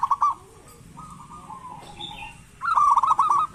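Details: Local zebra dove, an active singer used to draw lazy doves into calling, opens with a short trill and soft sliding coos. Faint higher chirps sound in the background before a loud, fast, rippling phrase ends the stretch.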